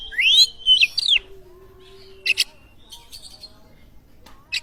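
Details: Oriental magpie-robin song meant to get other birds singing. Loud arching whistled phrases open it, followed by scattered short harsh rasps and quiet gaps.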